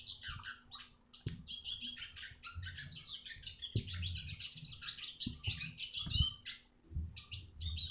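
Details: Continuous high, rapid twittering from a Eurasian siskin, recorded as training song for other birds, with buzzy trills and chattering notes almost unbroken, scattered faint clicks and a low hum beneath.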